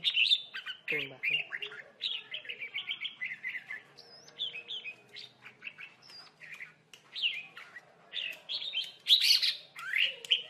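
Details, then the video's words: Red-whiskered bulbul trapped with a lure bird, birds fighting; a long run of short, bright, slurred whistled phrases, quick chirps and rising notes in irregular bursts, some loud and sharp, with faint background clicks. "chào mào cực đẹp hót cực hay đánh nhau cực khủng"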